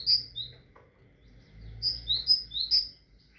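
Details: Tit song: one high-low whistled pair, a brief pause, then a run of bright alternating two-note whistles repeated rapidly, with a faint low background hum.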